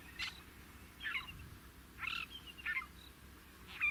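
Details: Fork-tailed drongo, also called common drongo, filmed in natural habitat in Africa: a series of short, harsh, metallic notes with twangy high overtones, spaced roughly every half second to one second.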